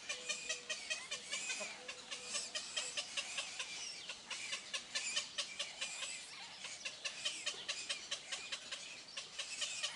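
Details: Storks at a zoo in Upie, Drôme, France, during the March-to-June breeding season: dry, wooden clattering in dense rapid bursts throughout, with a brief low tone near the start and again mid-way.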